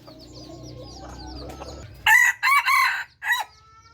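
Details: Bred F3 red junglefowl crowing: a clipped, broken crow in three or four loud bursts over about a second and a half, following chirps of small birds over a low mechanical hum.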